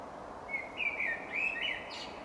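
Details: Blackbird singing in spring around Monkstown, Dublin: a rich, fluty warbling phrase of slurred mid-pitched notes, unhurried and rising slightly at the end, over low constant background noise.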